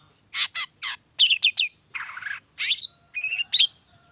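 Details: Long-tailed shrike (cendet) lure song in 'toet toet' variation style: harsh noisy bursts, then quick rising whistles, a rough scratchy phrase and a few squeaky notes, background otherwise quiet.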